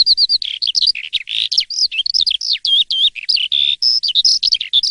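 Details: Asian pied starling singing in the morning: an energetic stream of varied notes, with whistled slurs, harsh buzzy bursts and clipped chirps following each other almost without pause.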